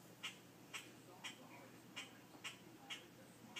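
A grackle gives short, harsh chucking notes, about two each second, in a steady repeated series over a faint background hiss.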